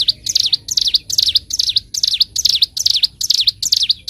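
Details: Bar-winged prinia (ciblek gunung) master recording for teaching birds its 'ngebren' song: high, V-shaped chirp pairs repeated evenly about every 0.4 seconds, loud and clear against a quiet background.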